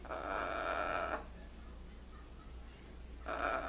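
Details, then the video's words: Pet blue-and-gold macaw acting as if crying. A long, steady, nasal wail is followed by a quiet stretch and then the start of another wail. "Funny macaw says "whats up" "hello" !!! and even act like crying"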